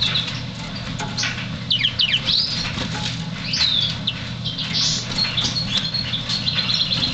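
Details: African Yellow Canary (Serinus flaviventris) giving quick, high, slurred chirps and short whistled phrases in scattered bursts, over a steady low hum and soft rustling patter.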